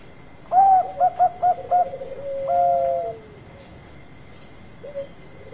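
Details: Bangkok-type zebra dove singing a lure song: a bright opening coo, then four quick staccato cooing notes and a long sustained lower coo, with a brief final note, over a constant thin high-pitched hum.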